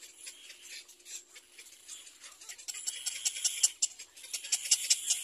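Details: Little black cormorant chick crying for its mother to feed it; rapid, high-pitched chattering cries that grow louder and denser toward the end, repeated several times a second.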